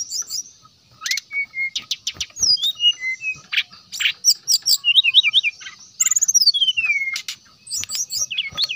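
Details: A brown-chested jungle flycatcher sings hard, as a lure to set rival birds singing: falling whistles, quick repeated rising notes, trills, and a long downward slur.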